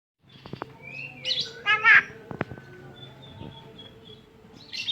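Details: Tame Javan myna said to talk and cough, giving a varied run of sounds: short clicks, a rising whistle, then a loud harsh buzzy burst in the middle and another brief raspy note at the end.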